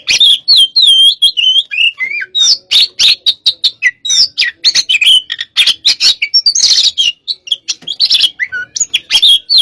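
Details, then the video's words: Stimulated Oriental magpie-robin of the "hot type" delivering a long, unbroken torrent of sharp chips, scratchy notes and looping whistles, fast and loud throughout. "pacingan burung Kacer tipe panas"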